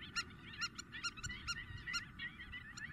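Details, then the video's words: Intense calling of spur-winged lapwing, recorded in Greece in April 2023: quick bursts of strident, metallic notes, about two per second, interleaved with softer squeaky notes. "Αγκαθοκαλημάνα - Spur winged Lapwing intense call"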